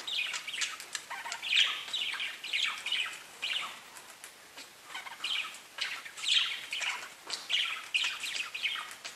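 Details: Pet budgerigars warbling softly: rhythmic bursts of scratchy chirps and trills come in quick pulses, a gentle chorus with no other sounds.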